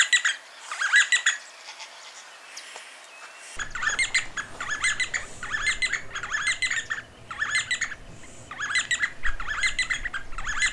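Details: D'Arnaud's barbets near Lake Baringo, Kenya, calling and duetting: harsh, buzzy, rhythmic phrases repeated about once a second, like clockwork, over a low rumble of wind.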